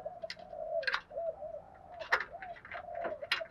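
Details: Spotted dove kept in captivity, cooing in a practised sequence used to stimulate other birds to call. A steady low hooting line runs throughout, overlaid by sharp clicks and chirpy noises in a noisy room.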